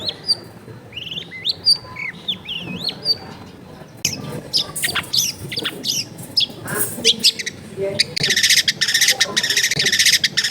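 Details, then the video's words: Long-tailed shrike, a kept bird recorded in a densely populated residential area, delivering varied whistled and slurred phrases, then harsher scratchy notes and a loud rasping screech near the end over noisy household background. "CENDET GACOR FULL ISIAN MEWAH COCOK BUAT MASTERAN CENDET MACET BUNYI AUTO MENJERIT"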